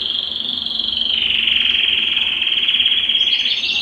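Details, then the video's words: Steady rolling trill, dense and buzzy, from a Belgian canary singing to stimulate males and prepare females for breeding, with a short brighter phrase breaking in at the end. "Canto Para Esquentar Canário Belga e Foguear as Fêmeas"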